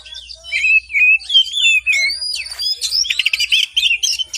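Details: Oriental magpie-robin singing in the morning as a lure for birds reluctant to sing: dense, rapid, high warbling with sweeping whistles and fast trilled runs.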